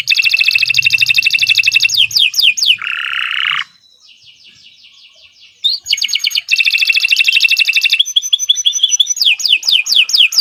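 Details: Extended gacor song of a Kenari Nusantara canary: fast high trills and swept notes, a buzzy roll, near silence for two seconds, then more rapid repeated trilling and slurred notes.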